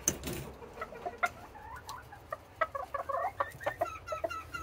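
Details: Several Serama bantam hens making a morning racket before release from the coop; quick runs of short clucks and wavering squawks, some in rapid bursts, with soft shuffling and thuds at the start.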